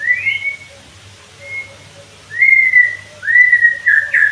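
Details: White-rumped shama (murai batu) song used as training therapy to make birds sing freely and loudly: long, clear whistled notes held steady, a gap, then two stronger sliding whistles ending in a rising flourish.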